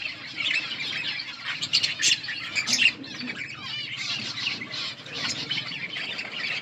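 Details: Many budgerigars chattering together in a colony, a dense continuous mix of high chirps, squeaky warbles and short squawks overlapping without pause, with occasional sharper calls standing out.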